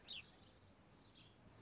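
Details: A house sparrow at London Zoo, among many sparrows chirping all around, gives a single short, bright chirp that slides downward, followed by quiet background hum and faint outdoor noise.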